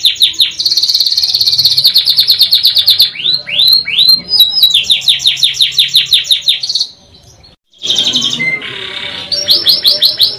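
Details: Canary singing in the Indonesian style called gacor panjang ngerol nembak, long rolling song with sharp shooting notes: fast high trills of repeated notes, about three a second, then a brief silence near eight seconds before trilling resumes.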